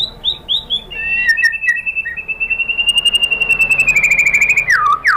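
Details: Shama lure song (pancingan) to provoke white-rumped shamas into replying: a few sharp upslurred whistles, then a long, level, high trill of rapid clean notes ending in a falling swoop, over faint background hiss.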